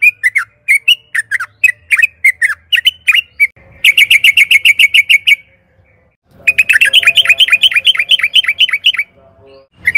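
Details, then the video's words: Yellow-vented bulbul lure recording of an energetic singer, played to provoke caged birds into answering and singing; loud rapid series of sharp, chirping notes, then two long bursts of fast repeated, slurred notes, about four per second. "Pancingan trucukan gacor agar BUNYI jadikan BURUNG TRUCUKAN GACOR NYAUT EMOSI"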